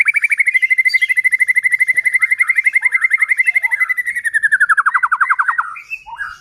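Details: White-rumped shama song meant to rouse other shamas to sing: a long, fast trill of identical whistled notes, about four per second, holding steady before dropping lower, with high chatter above.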